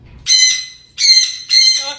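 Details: A pet Jenday Conure, whose owner asks why it is so angry today, gives three harsh, raspy squawks, each about half a second long, in quick succession; a faint low murmur comes just before.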